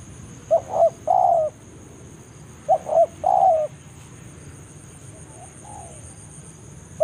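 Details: Spotted dove calling a rival in the forest with the BANGGO lure pattern: two phrases of quick paired notes and a longer descending coo, followed by softer, fainter coos and a steady high-pitched hum.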